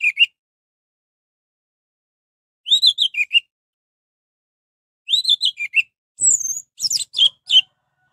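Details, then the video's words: Orange-headed thrush song meant to stir rival thrushes into answering: short bursts of rich warbled phrases with dipping notes, repeated every two to three seconds, ending in a longer sequence that opens with a high drawn whistle. "suara anis merah untuk pancingan"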